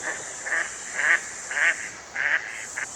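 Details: A Mallard on the Gardon de Saint-Jean river in France gives five short, nasal quacks at an uneven pace of about one every half second, over a steady high hiss.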